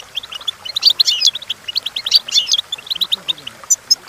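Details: Goldfinch in full song for training purposes: fast, bubbling twitter of high chirps with two loud, jangling buzzy bursts, then sparser clear notes.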